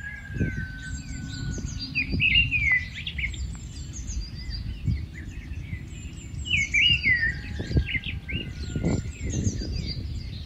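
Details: Two separate warbled phrases from a rufous-tailed scrub robin, a migratory bird, spaced about five seconds apart, each a quick jumble of fluty rising and falling notes, with other birds whistling faintly and low rural noise underneath.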